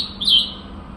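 A bulbul gives a single short, high chirp lasting a fraction of a second against a faint, steady background hum.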